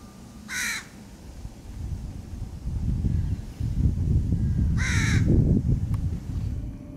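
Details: Crow feeding its young in 2022: two harsh, hoarse caws about four seconds apart over a steady low rumble of background noise.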